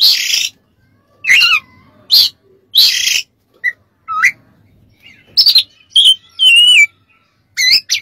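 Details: Oriental magpie-robin song used as a master recording to tutor other birds: loud bursts of harsh, buzzy notes alternate with clear whistles that slide downward or curve up and down, with brief silences between phrases.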